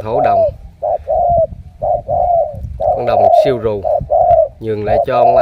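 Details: Spotted dove from Cà Mau, described as a strong cooer, giving deep hollow coos in short repeated bursts about once a second, with a man talking over parts of the calling.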